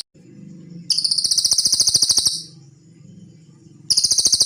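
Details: Cililin song recorded as training material for songbirds: two bursts of very high, rattling, buzzy trill, the first about one and a half seconds long, with a steady low hum filling the gap.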